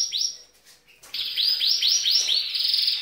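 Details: Female canary, green in colour, singing in a male style to excite males. One rising sweep, then a short pause, then a series of arched, rolling high syllables repeated about twice a second.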